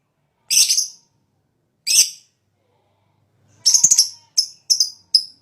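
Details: Fighter lovebird in high breeding condition, lure song: two isolated harsh screechy chirps, then a rattling cluster followed by quick clipped chirps in succession.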